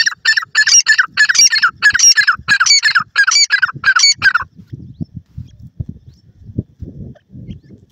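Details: A desi grey francolin from Sindh calls loudly. It gives a harsh, ringing, repeated phrase, about nine times in four and a half seconds, then falls silent, leaving faint low rustling and thumps.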